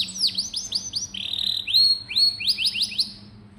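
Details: Canary singing used to prompt young, reluctant singers: quick looping down-slurred notes, a flat sustained whistle, then rising chirps repeated several times per second.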